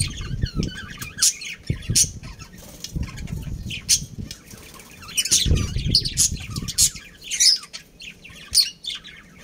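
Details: A breeding pair of budgerigars in a family group: repeated high chirps and squeaky twitters throughout, mixed with low thumps and rustling, likely wing or cage movement.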